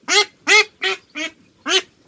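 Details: A female Khaki Campbell duckling, handled in a duck pen, gives five loud, harsh, nasal quacks, each about a quarter-second long and spaced roughly every third of a second; only females make this proper quack.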